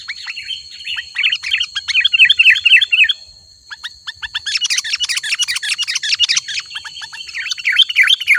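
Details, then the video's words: Sooty-headed bulbul in full song for drawing in wild bulbuls: continuous busy twittering and bubbling chirps, louder and denser in the second half, with a faint steady high tone throughout. "Suara Burung Kutilang Gacor Asli"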